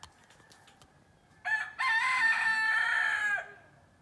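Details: Rooster in Mexico crowing before sunrise: a short opening note, then one long, strained, level cock-a-doodle-doo lasting about two seconds over a low background hum.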